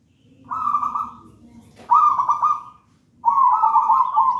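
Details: Zebra dove, a local wild-origin bird taken from a raja banana plant nest, in persistent manggung song used to tutor other doves: three rolling, burry coos near mid pitch, the middle one opening with a sharp rise, low murmuring beneath.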